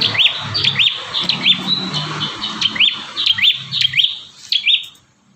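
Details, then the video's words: Lively bar-winged prinia, a caged-bird training recording of its song in five variations: a quick run of sharp, rising, upslurred whistled notes, about ten in five seconds, over a faint low hum. "Burung prenjak tamu gacor 5 variasi mantap jiwa"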